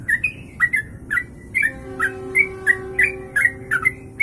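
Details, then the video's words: Sooty-headed bulbul in long ropelan kongslet song, meant as master audio: lively chirped notes about three per second over background rumble and steady humming tones. "Trucuk Kongslet Ropelan Panjang, bisa buat masteran"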